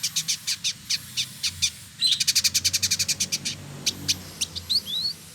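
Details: Male village indigobird, kept for tutoring other songbirds, from Bandung, West Java, Indonesia. It sings high, sharp chirps that speed into a fast, evenly spaced burst of ticking notes, then slows to scattered chirps and brief upward slides. A low background hum continues throughout.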